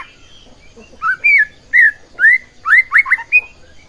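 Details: White-rumped shama singing a lure song meant to rouse rival shamas into song. Loud, clear, slurred whistles given one after another, ending in a quick cluster of short notes.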